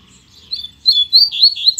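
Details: Short phrase from a male Double-collared Seedeater after his female arrived: a few thin, high whistled notes rising into quick, clear chirps.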